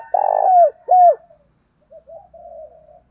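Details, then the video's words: Spotted dove giving a fight-provoking coo for training decoy birds. The end of a phrase is heard: a burry drawn-out coo and a sharply falling hoo, then soft, quiet low cooing. "tiếng gáy gọi và thúc đấu rút bổi gây ức chế"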